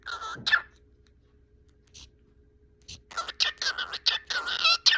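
A cockatiel chatters in bursts of raspy, speech-like syllables with a bright whistled tone.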